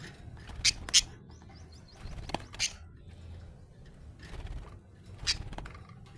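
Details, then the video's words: Happy budgerigar chirping in loud sharp bursts with quick rapid chattering notes between them, set against a low constant hum. "Happy budgie chirping sound"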